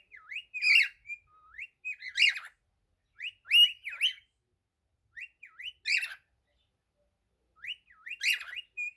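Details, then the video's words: Pet cockatiel singing: clusters of quick up-and-down whistled slurs broken by rasping chatter, phrases separated by short silences, repeated roughly every two seconds. "Calopsita cantando ❤ cockatiel singing"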